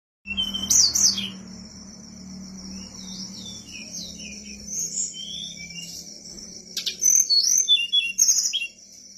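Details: Whistler, a mountain bird, singing vigorously: high, thin whistled phrases and sliding notes over a steady high tone, with louder bursts of sharp twittering near the start and end, plus a low background hum.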